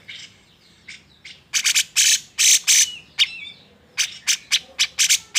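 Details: Agitated grey-cheeked bulbul, voiced to stir silent birds into song: a few soft chirps, then loud rasping, buzzy bursts, followed by a steady series of short harsh notes about twice a second.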